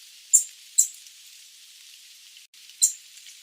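Sooty babbler giving three sharp, very high-pitched notes, two close together then one after a two-second pause, over a steady soft hiss.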